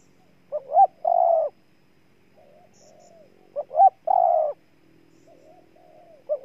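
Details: Spotted dove from Ninh Thuận cooing: two short rising notes, then a long, steady low coo, the phrase repeated about every three seconds, with a soft, faint coo between phrases in an otherwise quiet setting.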